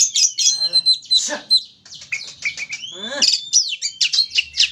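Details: Oriental magpie-robin in an aggressive, fired-up state, used as a lure to provoke other magpie-robins into singing: loud, varied, rapid run of clear whistles, sharp chirps and buzzy rasping notes, with pitch sweeping up and down.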